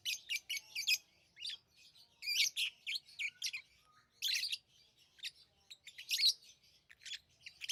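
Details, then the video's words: Tame lovebirds chirping busily, rapid strings of shrill squeaky notes and harsh buzzy chatter with few pauses, loud bursts rising and falling in quick succession. "Love birds Sounds | lovebirds chirping sounds"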